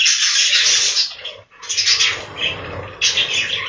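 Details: Dense, hissy warbling from many budgerigars in a breeding room, nearly continuous chirping that breaks off in one short gap before resuming at full strength.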